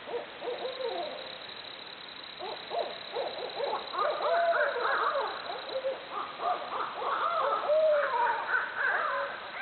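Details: Barred owls hooting away and making jungle noises: a dense, overlapping chorus of wavering, arching hoots and cackling whoops. Several calls rise and fall steeply, and the chorus swells louder after four seconds.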